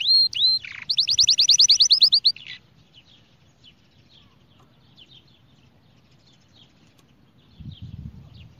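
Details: A Spanish Timbrado canary sings a short burst of training song: a whistled opening and a rapid high trill over about two seconds, followed by near silence with faint distant chirps.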